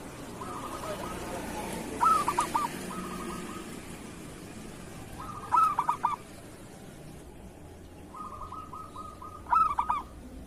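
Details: Local zebra dove kerot-style song, recorded to teach other doves: three phrases spaced three to four seconds apart. Each is a soft purring trill ending in a loud stuttered coo, over steady low background noise.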